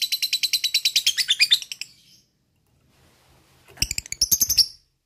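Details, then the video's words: Lovebird ngekek used to prompt other lovebirds to sing: about two seconds of quick, buzzy, high chattering notes, a pause, then a shorter, rougher burst of rapid notes. "PANCINGAN LOVEBIRD bahan agar rajin bunyi dan mau ngekek"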